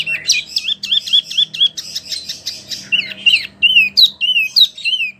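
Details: Energetic wambie mini song meant for tutoring contest birds: dense runs of bright, high chirps repeated in quick series, alternating with looping whistled notes, almost without pause.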